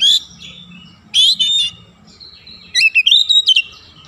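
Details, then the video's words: Oriental magpie-robin song played as a lure to set other birds singing: a few bright whistled notes, then a quick twisting run of high whistles near the end. "PANCINGAN KACER LEBIH CEPAT REAKSI GACOR BONGKAR ISIAN"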